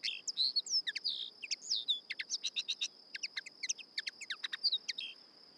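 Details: Common Linnet singing a rapid, almost hurried musical phrase of varied notes, soft whistles mixed with harsher twangy chips, delivered continuously for over five seconds; a constant high thin whine sits underneath.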